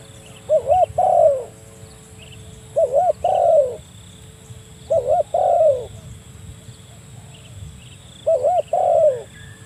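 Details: Spotted dove calling a rival, played to lure other doves: four phrases, each two short curling coos then a longer descending hoarse coo, spaced roughly two to three seconds apart over steady background hum.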